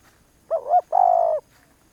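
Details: Spotted dove singing a single phrase: a short, wavering two-part coo followed by a longer, steady, purring low coo with a fine rapid flutter, against a quiet background.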